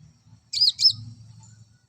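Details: Olive-backed sunbird song meant to bring a male into breeding condition: two quick, very high, twisting chirps in rapid succession over a faint low hum.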